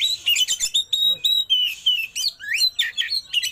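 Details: Oriental magpie-robin singing rich, varied song while spreading its tail: high sweet whistles, quick chattering rolls and sharp, shot-like notes, with a few rising slurred phrases.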